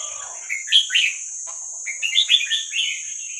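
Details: Young wild Vietnamese red-whiskered bulbul, recorded to be played for training young birds: bright chirpy warbled phrases of quick rising and falling notes in two bursts, over a steady high electronic whine.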